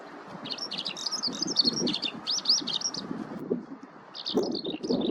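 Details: Eurasian skylark singing while foraging in a ploughed field: a rapid, continuous stream of high warbled and trilled notes, with short slurred whistles, over a steady low rumble.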